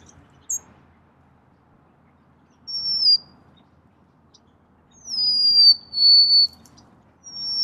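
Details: Golden-crowned sparrow singing high, clean whistles: a short held note, then a full phrase sliding down into a long steady whistle, with a brief chip at the start.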